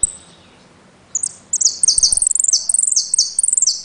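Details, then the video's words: Caged jilguero (saffron finch) from Trenque Lauquen launching after a brief pause into a quick, piercing sequence of high descending chirps, repeated in rhythmic clusters until the end. "JILGUERO AUDIO "EL CORRENTINO" ( repique, golpe y pitadas)"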